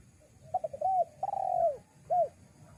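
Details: Lure call of a spotted dove for attracting wild doves, with a few quick soft introductory notes, a drawn-out falling coo and a closing short arched coo. Steady low hum underneath.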